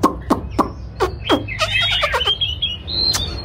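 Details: White-rumped shama during a singing display: a string of sharp clicks followed by a fast chattering warble and a thin, high, slowly falling whistle.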